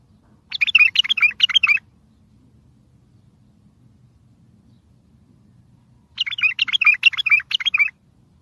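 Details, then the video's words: Bulbul singing strongly to make other bulbuls reply, for trapping: two separate bursts of quick, warbling, jumbled chirps, each over a second long, about five seconds apart with silence between. "اصوات بلابل تغريد بلبل قوي ينطق الاخرس كذلك للصيد البلابل الاخرى يجيب البلابل البعيده"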